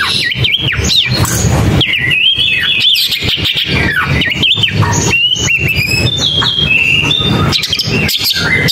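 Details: Long-tailed shrike song of loud, varied phrases: wavering whistles, rising and falling slurs and harsh squawks follow one another with little pause, set against steady rapid thumping or rustling noise.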